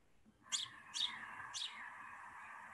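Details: House sparrow chirping a little among its kind: three short, sharp chirps about half a second apart, over a soft steady background hiss.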